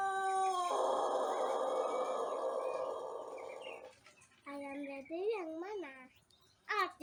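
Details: A Pelung Jejangkar cockerel a month into learning to crow gives a sustained, even crow lasting nearly four seconds on a morning in Indonesia, followed by wavering tonal sounds and human voices.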